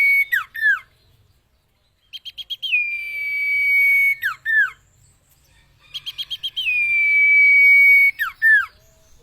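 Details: Training song of a common iora for cage birds. Short chip notes lead into a drawn-out even whistle, closed by a pair of downward-sweeping notes. Falling notes also open the clip, and the phrase comes twice.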